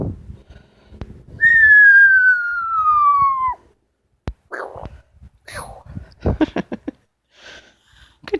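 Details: Loud descending whistle lasting about two seconds from a pet female Amazon parrot, like a falling-bomb sound, followed by clicks, short nasal notes and a rapid series of taps.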